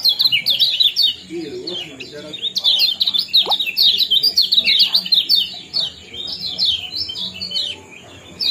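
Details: Ciak-ciak and jos calls of the lemon-bellied white-eye (kecial kuning), played to stimulate breeding: near-continuous streams of high, slurred chirps and twittering notes with brief gaps.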